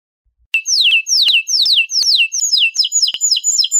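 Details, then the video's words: Domestic canary singing: a steady series of clear, downward-slurred whistled notes repeated about every third of a second, bright and high, after a brief silence at the start. "أنواع طيور الكناري مع تغريد رائع"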